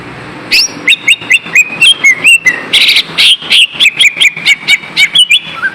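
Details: Lesser green leafbird, a caged songbird, in lure song to rouse lazy birds: long quick chatter of whistled notes and buzzy bursts, steady rapid rhythm throughout.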